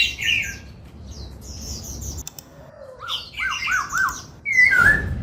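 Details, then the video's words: Cage laughingthrush during song training, a mix of scattered high chirps, a short series of rapid upslurred notes and a loud falling whistle, with a brief thump near the end. "Khướu hót múa, Luyện Khướu hót giọng bắt cô trói cột, Tiếng chim Khướu hót"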